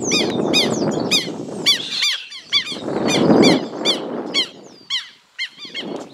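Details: Aggressive Southern lapwings, a pair diving at someone filming, give shrill harmonic screeches in quick series, overlapping at times, over heavy low rushing wind or movement noise.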